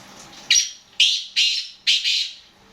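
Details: Calling black francolin kept as a prized bird, giving four loud rasping bursts in quick succession, each abrupt in onset and scratchy, the later ones doubled, with low hum underneath.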